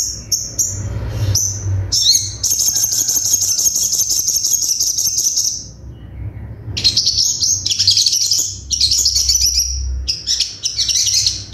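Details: Crimson Sunbird (sogon) in a masteran tutor recording full of sharp 'tembakan': quick high chips leading into a long, very high, fast rattling trill, a short pause, then more buzzy trilled phrases and stabs, over faint low hum.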